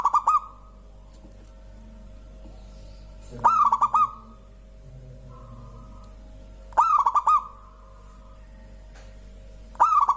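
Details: Zebra dove of a local strain, singing so that other birds chime in: three bursts of quick staccato cooing, each ending in a slightly drawn-out coo, repeated about every three and a half seconds against quiet.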